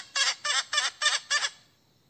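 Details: Hen calling out for a rooster, giving five short harsh squawks in quick succession, each rough and nasal, then falling silent.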